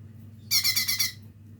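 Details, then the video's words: Young lesser green leafbird practising its song, giving a single loud buzzy chatter of about six rapid pulses lasting just over half a second over a faint low hum. "cucak ijo mini belajar bunyi"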